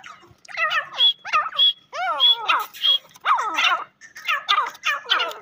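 Black Francolin giving harsh, grating notes in quick bursts about every half second, some sweeping down, with a thin high whistle mixed in.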